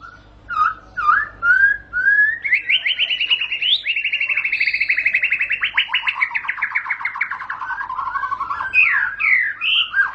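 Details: White-rumped shama song: a few clear whistled notes lead into a long, fast, steady rattling trill of repeated notes, then closes with varied whistled flourishes.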